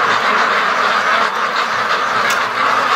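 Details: Steady massed quacking from a large free-range flock of more than 650 ducks during their daily lake run, loud and even, with brief sharp clicks standing out near the end.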